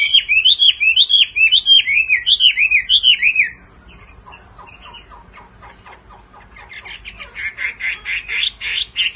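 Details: Hwamei female's repeated calls meant to stir a male into singing. Loud looping whistles repeat about every half second, then a quieter stretch of rapid chattering notes builds back into bright, dense phrases.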